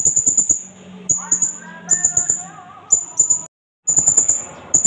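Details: Indonesian blue-crowned hanging parrot giving lure calls with natural pauses. Fast strings of piercing high chips, a brief silent break, then more rapid chipping, while a mosque loudspeaker voice sounds in the background.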